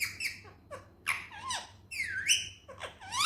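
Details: Indian ringneck parrot in natural talking voice, squeaky and strained, with looping pitch glides that rise and fall through several short phrases, over a quiet low hum.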